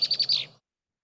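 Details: A female Red-winged Blackbird gives her aggressive song, used to drive another female from her territory: a harsher, quick high chatter of four sharp notes in about half a second, the last drawn out and buzzy.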